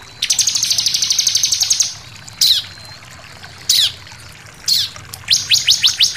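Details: Bar-winged prinia song used as a lure to provoke other birds into singing: a rapid, buzzy, high rattle of about sixteen sharp notes, then single downslurred chips about a second apart, ending in a short fast burst.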